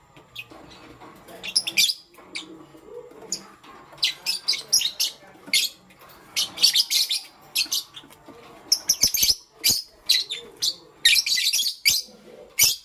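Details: Pastel grey and green lovebirds chirping in the morning: dense runs of sharp, harsh, high chirps come in quick bursts separated by short pauses, steady over the whole stretch.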